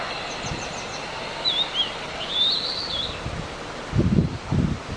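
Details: Blue-and-white flycatcher in the wild, recorded live, delivering a faint warbled whistled phrase that wavers up and down over about two seconds. A steady background hiss and a few low knocks toward the end accompany it.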